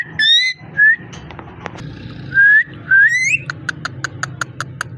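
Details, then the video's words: Pet ringneck parrot whistling: several clear rising whistles and one squawky note, then a fast even series of soft clicking taps near the end over a low hum. "Amazing ringneck parrot talking and voice"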